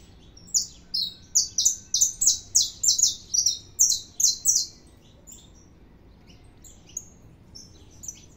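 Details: Singing saffron finch producing a rapid burst of about fourteen loud, high, buzzy notes over four seconds, nearly evenly paced. After that come near silence and two isolated faint chirps toward the end.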